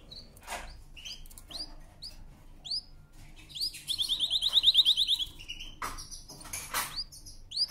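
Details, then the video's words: Canary's powerful song, sung for training, with scattered upslurred whistles, then a loud rapid rolling trill lasting about a second and a half, followed by sharp chips. "CANARY SINGING POWERFUL SONG | CANARY SINGING FOR TRAINING"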